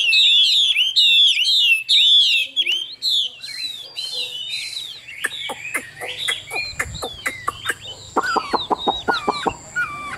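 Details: Chinese hwamei kept in a cage in Vietnam, praised for singing well: three seconds of bright, rolling whistled phrases, then quieter twitters and a run of sharp clicking taps with faint background noise.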